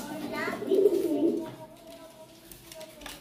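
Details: Pigeon giving a single low, rolling coo lasting about half a second, preceded by a brief voice and followed by quieter background murmur.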